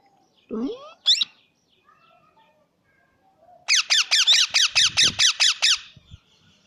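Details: Plum-headed parakeet calling: a couple of isolated squeaky notes, then a pause, then a rapid series of about ten sharp, downward-sliding shrill notes, roughly six per second, in a quiet setting.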